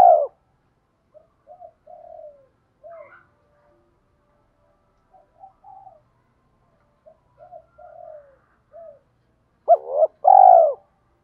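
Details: Captive decoy spotted dove cooing in the thổ voice style blended with đồng, used to rouse and train newly caught doves; loud mellow coos open and close, with soft, short, low coo fragments scattered between, otherwise quiet.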